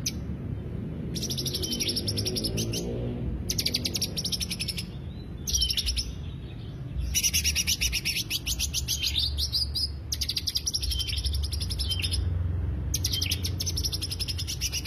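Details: Greater green leafbird singing as a lure: long runs of fast, dense, high-pitched chattering notes broken by brief pauses, steady throughout, with a faint low hum underneath.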